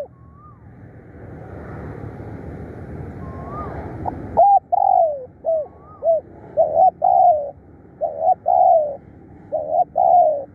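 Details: Spotted dove used to lure other doves, calling fiercely: after several seconds of broad noise, a rapid run of hoarse coos follows in clustered pairs and triplets, with faint thin whistles early on.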